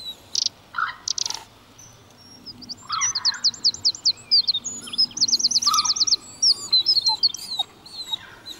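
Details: A pair of common kingfishers searching for a suitable nest site, giving high, shrill whistled notes and rapid fast-repeated trills, mixed with brief lower rasping sounds.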